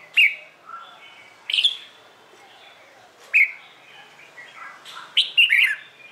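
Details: Red-whiskered bulbul singing in the morning, competition-style song used to train caged birds: short bright whistled phrases with sharp upward flicks, given in bursts about every one to two seconds, with quieter warbles between.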